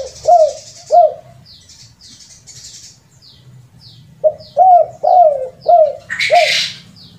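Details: Rare spotted dove trapping lure call with kuk 2 and kuk 3 endings. Two soft, throaty coos are followed by a pause, then a tighter series of four or five rolling coos. High chirps from other birds and a brief rushing burst near the end.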